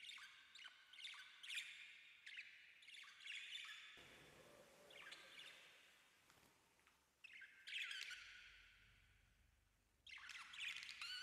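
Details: Pet rose-ringed parakeet having its head scratched, giving harsh, squawky chirps in quick irregular bursts with short quiet gaps between.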